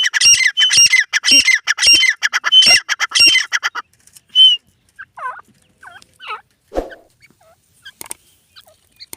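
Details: Grey francolin (teetar) calling in a fast, harsh, squawking series of high repeated notes for about four seconds, then a few scattered softer chirps and short clicks with pauses between them.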